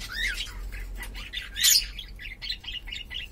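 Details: Pet cockatiel of uncertain gender chattering in a busy warble of quick squeaky notes and little twitters, one louder harsh burst midway, then shorter repeated chirps, with low hum underneath.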